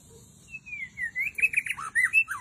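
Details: White-rumped shama singing in the forest, used as a lure: a string of clear whistled notes, some long and level, others sliding down or up in quick varied phrases, with a low hum beneath.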